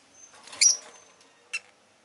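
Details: Rosy-faced lovebird giving one harsh chirp over a thin, steady high whine, then a short, quieter chirp about a second later.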